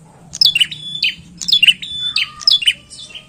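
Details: Bar-winged prinia singing, used as a lure for catching birds: loud, high, sharp chirped phrases, each a quick cluster of tinny notes with a short level whistle, repeated about every half second, with a faint low hum.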